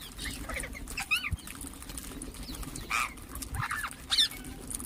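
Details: Chirping ring-necked parakeets give several short, sharp, rising and falling notes scattered across a few seconds, over constant low hum and soft chatter.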